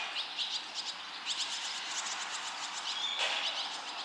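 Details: Barn swallow young during a very fast fledging, five chicks out of the nest within 2 minutes 30 seconds as older fledglings call nearby; quick, high, scratchy chirp series repeated in bursts, several voices overlapping.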